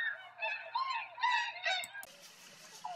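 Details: Tundra Swans near Rosedale and Munson, Drumheller, Alberta, Canada, give a chorus of mellow, high, honking hoots, several birds overlapping about twice a second, then it cuts to softer background noise with a faint call.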